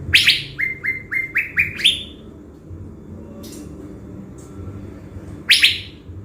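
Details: Blue-winged leafbird, a decoy bird from Binh Thuan, Vietnam, kept ready before going to the forest: harsh buzzy bursts followed by a rising series of short whistled notes, then another harsh burst after a pause.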